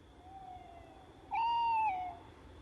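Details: Tawny owl calling at night: a faint low hoot, then a louder, steady, pure hooted note held for nearly a second and falling away at the end.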